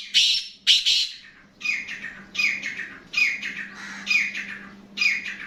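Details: Black francolin giving repeated rasping, scratchy notes, two sharp loud ones first and then a string of shorter grating bursts in quick groups, over a steady low hum.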